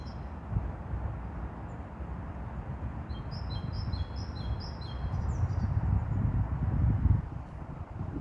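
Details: Mourning wheatear singing in the wild: a quick run of thin, high chirped notes repeated several times, then a short slurred descending phrase, all fairly faint over a loud, steady rumble of wind.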